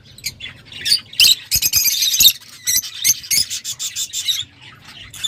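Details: Lovebirds squeaking and chattering almost nonstop, rapid harsh high chirps running for about four seconds before trailing off into quiet hum.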